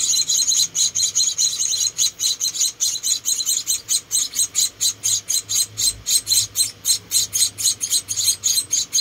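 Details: Rescued Munia chicks, four in all, being fed by hand: an evenly paced run of piercing, high, squeaky chirps repeated several times a second throughout.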